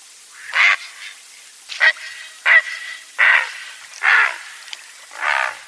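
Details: Great Blue Heron (Ardea herodias) calling: six harsh, hoarse croaks, each about half a second long, spaced roughly one second apart, with no other sounds.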